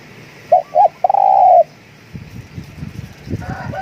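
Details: Spotted dove decoy calling: two short soft coos, then a longer drawn-out hollow coo with a stuttering start. Low rumbling and scuffling noise follow.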